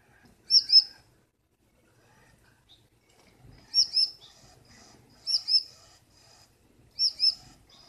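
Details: Gouldian finch hen, unseen within the nest at night, dominating her blue male and keeping him waiting; clear high paired chirps, four pairs spaced a few seconds apart over quiet background.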